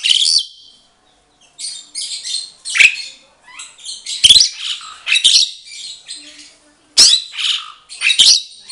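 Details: Captive Asian pied starlings, an already mated pair in a breeding setup, sing alternately; grating chatter and high squeaky notes in uneven clusters separated by brief silences.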